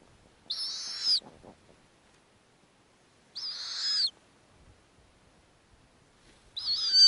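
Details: Three harsh, hissing screeches, each about half a second to a second long, spaced roughly three seconds apart, from a snowy owl nest in the Arctic with a feeding female and nestlings about two weeks old and younger.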